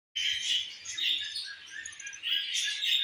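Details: Budgerigar mother feeding her baby: a dense, continuous stream of high, scratchy chirps and chatter, swelling and easing in waves over three seconds with no gaps.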